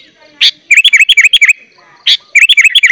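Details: Sooty-headed bulbul singing 'gacor full isian' as tutor song for young birds: a loud rasping note followed by a quick run of about eight bright V-shaped chirps, then the same pattern repeated.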